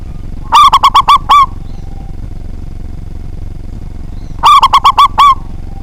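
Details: Zebra dove of a local Indonesian type with a powerful voice, used to spur rival birds to sing; two matching phrases of five or six rapid, clipped coos ending in a drawn note, repeated roughly four seconds apart.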